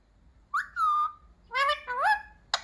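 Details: Talking pet parrot learning to say "mummy papa" gives a short whistled note sliding downward, then two rising, voice-like harmonic syllables and a sharp final click.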